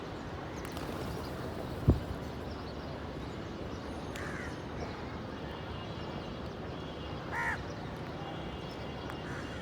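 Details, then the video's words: A crow caws twice, brief hoarse notes some three seconds apart, above constant low rumbling background noise and a sharp knock early on. "Crows Cawing Natural Sounds, Crow Sound Effect, Black Crow Bird Sounds Effects"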